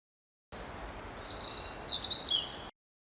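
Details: European robin song recorded outdoors in France, a variable babbling phrase sung to hold a winter territory: high thin whistles and trills sliding up and down, two short bursts with a brief gap, faint background hiss.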